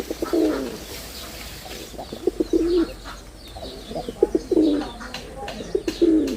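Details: Repeated short throaty coos from a male red-bordered wild pigeon in display, four or five bursts over six seconds, with sharp clicks and light chirping in the background.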